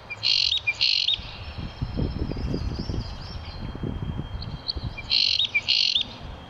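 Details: Common chaffinch calls: paired bursts of bright, ringing high notes at the start and again near the end, quiet between, with low rumbling background noise.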